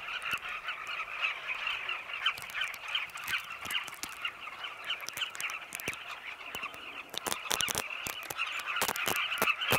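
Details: A flock of Carmine bee-eaters circles its cliff nesting colony at sunset in Zambia, foraging insects for chicks in burrows; many overlapping rolling calls form a steady chatter, broken by frequent sharp clicks and knocks.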